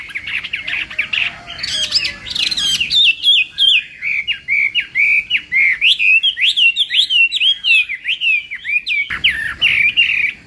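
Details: Chinese hwamei in morning voice-training song: a long run of loud, rapid whistled notes bending up and down, phrases repeating with slight variation, briefly dropping away near the end before resuming.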